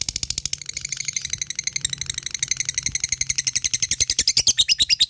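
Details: Fighter lovebird in ngekek chatter: rapid shrill pulsed notes, softer and less even at first over a faint low hum, building into a louder, brighter fast rattle by the end.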